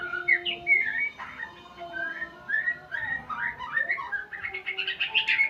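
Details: White-rumped shama learning sounds: varied whistled phrases, some rising and slurred, others short and chattery, in bursts about every second, over faint steady background tones.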